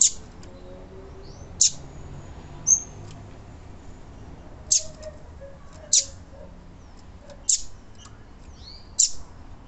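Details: Call of a female Double-collared Seedeater, used to excite males: about six abrupt high notes, each sliding steeply downward, spaced roughly one to two seconds apart, with faint softer chirps between and a low hum beneath.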